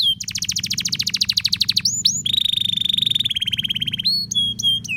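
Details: Canary in long, lively song meant to set other canaries singing: rapid trilled rolls of repeated notes, a buzzy sustained trill, then scattered clear whistles, with a low hum in the background.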